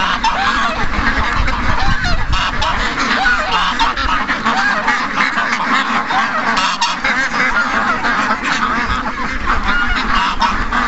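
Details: Morning rush of more than 700 ducks and geese: a steady, crowded wall of honking and quacking, many birds calling at once with no pauses, some low rumbling underneath.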